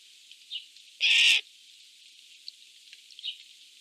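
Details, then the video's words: One loud, grating rasp lasting under half a second from a Eurasian jay during a fight for food, surrounded by faint high chirps. "Jays fighting for food 💥 Is it because they are happy that they are making noises❓"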